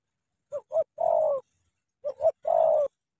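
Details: Spotted dove from Cà Mau, Vietnam, a tame decoy bird facing a wild dove, cooing twice: two short soft notes, then one long low drawn-out coo, repeated after a pause in otherwise quiet surroundings.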